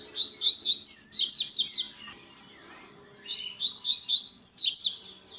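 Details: Two phrases of double-collared seedeater song at dusk. Each has bright, quick high chirps that sweep upward and end in a dense rattling trill, separated by about a second of near quiet.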